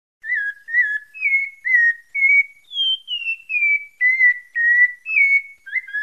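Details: Continuous pale-breasted thrush song from Bahia's Santa Fé: clear, musical whistled notes repeated nearly twice per second, rising to a higher phrase midway before stepping back down, with no other noise.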